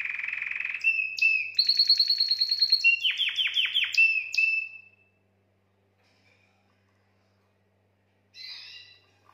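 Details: Singing canary whose song is meant to stimulate females for mating: a buzzy high trill, rich rolling phrases with rapid descending notes, then about three seconds of silence and a short soft chattering burst near the end.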